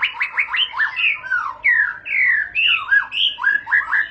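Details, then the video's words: White-rumped shama in long rolling song style (ngerol panjang), delivering rich slurred whistles that swoop up and down, some phrases drawn out, others clipped and quick, in a steady varied stream. "para raja murai batu ngerol panjang"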